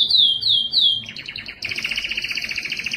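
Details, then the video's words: Excited canary song for breeding: three falling whistled slurs in quick succession, followed by a fast, pulsing rolled trill. "اقوى تغريد كناري للتزاوج"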